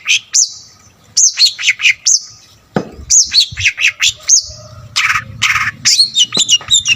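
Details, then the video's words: Long-tailed shrike singing vigorously with varied phrasing, sound chosen to provoke other shrikes; looping slurred whistles repeated in quick runs, then harsher rasping bursts, over faint low background noise. "BURUNG CENDET GACOR FULL ISIAN,SUARA COCOK BUAT EMOSI CENDET LAIN"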